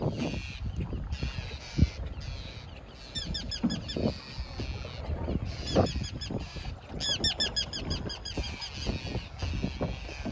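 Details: Forster's terns flying over a canoe on Lake Bertha give two bursts of quick, high, grating notes in rapid series overhead, over a steady low rumble of wind and water with a few knocks.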